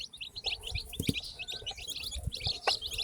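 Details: Newly hatched chicks in a group chirp steadily, their high, clipped peeps tumbling over one another, with a few low knocks and taps audible.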